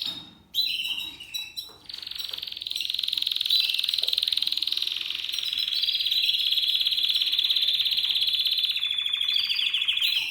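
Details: Spanish Timbrado canary, male, seven months old, singing discontinuo: a few sharp opening notes, then a very long continuous metallic rolling trill lasting about eight seconds.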